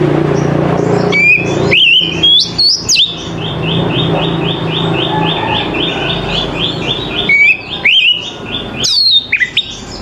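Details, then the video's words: Oriental magpie-robin singing in the morning: sharp rising whistled notes and a long run of rapid repeated high chips, with low background hum throughout. "TERAPI KACER PAGI HARI"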